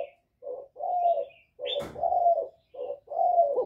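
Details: Spotted dove in the 'giọng thổ' style, calling to lure and provoke rival wild males. About five soft, low, hollow coos, some drawn out, are broken midway by a sharp click. A faint high chirp sounds above.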